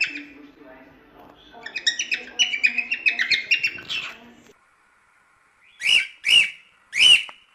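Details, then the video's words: Cockatiel song material for teaching the birds: a rapid run of chattering, warbled notes, a short silence, then three loud, separate, arched calls spaced about half a second apart. "Cantos e Assobios Para Calopsitas"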